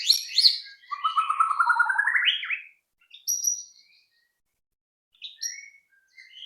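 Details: White-rumped shama song used as a lure to get other shamas singing quickly: a rich, varied phrase with a buzzy rising trill from low to high, then scattered brief high whistled notes after pauses.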